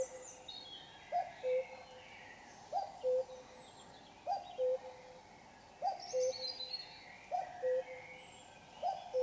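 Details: Common cuckoo singing in darkness at 5 a.m. on a Sunday morning: the clear two-note cu-coo, the second note slightly lower, repeated steadily about every one and a half seconds, with faint high chirps from other birds.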